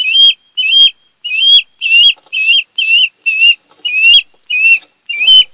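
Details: Osprey at a nest on Kent Island, Maryland, part of a mated pair, 10 August 2018 in the early hours: loud, clear whistled chirps, each slightly rising then falling, repeated about eleven times at half-second intervals.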